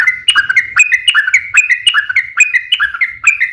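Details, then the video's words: Fighting song of a yellow-vented bulbul, a long rolling trill that provokes others to sing; quick liquid notes, each dipping and rising, delivered in a brisk even series. "KICAU SUARA trucukan gacor TARUNG ROPEL PANJANG"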